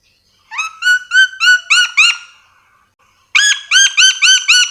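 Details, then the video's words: Yellow-and-green lorikeet of Sulawesi calling in quick runs of ringing, rounded notes, five or six per burst, two bursts separated by a short silence. "Suara asli nuri dora memanggil"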